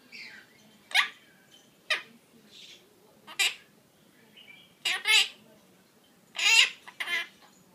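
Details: A pet quaker parakeet talks after its bath, filmed in May 2013 in a dim room. Loud, harsh, harmonic word-like bursts come singly and in pairs, separated by quiet pauses with faint room noise.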